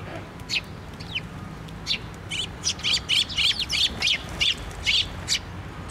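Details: Flocking sparrows arriving at a feeder on a post, Tenmangu shrine, 24 June 2023: sparse chirps at first, then a rapid busy run of bright tweets from about three seconds on.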